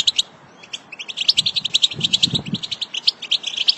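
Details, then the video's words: A flock of European goldfinches chatters continuously with bright, tinkling twitters and rapid liquid trills, overlapping voices filling the air, with faint low thumps beneath. "بتبتة لسرب من طائر الحسون مقنين"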